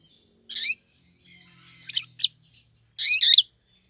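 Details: Pet rosy-faced lovebirds, one yellow and one green, both red to the top of the head, give a harsh squawk, a thin squeak, a sharp chirp, then a longer rasping screech.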